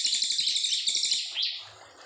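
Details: Brown fulvetta with a clear-voiced song used to tutor young white-rumped shamas: a high pulsed buzzy trill ending in a short upward slur, then fading out.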